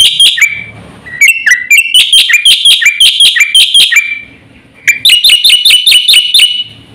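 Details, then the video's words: Black-winged starling pouring out a rapid, varied song for luring and tutoring birds: sharp downslurred notes lead into a quick string of metallic repeated chips, a short pause, then another fast ringing series. "suara burung jalak putih GACOR FULL ISIAN paling cepat untuk PANCINGAN dan MASTERAN bikin EMOSI"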